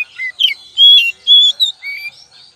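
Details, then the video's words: Oriental magpie-robin lure song: a short phrase of bright whistles, a downslurred note, then two long even notes and a final rising one, with faint twittering around them. "pancingan kacer"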